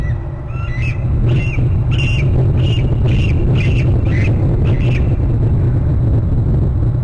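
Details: Bald eagle at a Hornby Island nest and territory cam, giving a screechy call as its mate arrives and both settle in the nest; a series of thin, high squealing notes repeated about twice a second over a loud low rumble.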